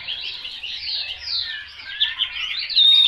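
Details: Chinese hwamei pouring out a continuous, high, rich warble of slurred whistles that rise and fall without pause, ending on a thin, pure whistled note.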